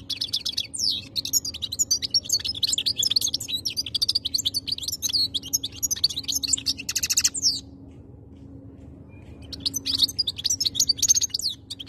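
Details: Khaloui goldfinch delivering a long stream of quick chirps, tinkling notes and buzzy trills. A silent break of a couple of seconds follows before a renewed twittering burst.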